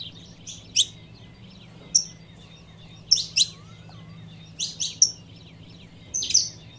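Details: A female saffron finch calling to stir up a male gives sharp, high chirps, singly or in quick pairs and triplets every second or so, over a faint low hum.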